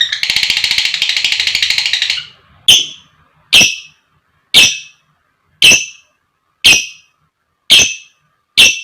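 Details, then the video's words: Lovebird, female, giving the long 'ngekek' chatter used as a lure to provoke fighter lovebirds: two seconds of rapid buzzy pulsed chattering, then sharp high chirps repeated about once a second, seven times. "Pancingan Suara Burung Lovebird Gacor Ngekek Panjang, Amazing Lovebird Singing & Chirping Sound"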